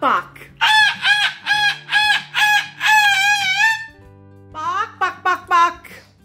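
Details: An indoor pet Moluccan cockatoo, prompted to do a "bok bok" cluck, gives a quick run of about six loud, nasal, clucking calls, then one longer drawn-out call and a few short, rising squawks.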